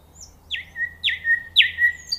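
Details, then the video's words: Nightingale singing amid natural surroundings: three loud slurred notes, each dropping steeply from high to a held lower whistle, repeated about every half second after a faint high opening note, with a low steady hum beneath. "صوت العندليب"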